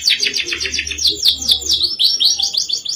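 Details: Canary singing vigorously in the rolling, sharp-shot ngerol nembak style. Very fast high trills and rapid downslurred notes tumble in continuous bursts, with a faint low hum underneath.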